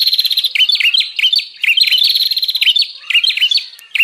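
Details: Busy bar-winged prinia calling for luring wild prinias: an almost unbroken run of quick, rasping chip notes, each dropping slightly in pitch, with brief pauses between phrases.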